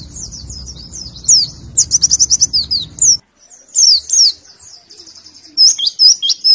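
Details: Warbling white-eye in morning 'nembak' tutor song: high, rapid twittering phrases and fast repeated chirps in bursts, over a faint low hum that stops midway.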